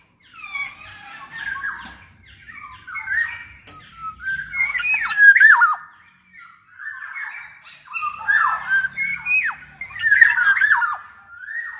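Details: Golden black-naped oriole in busy song as a tutor for other orioles: near-continuous harsh squawking notes and slurred whistles, repeated in rapid bursts.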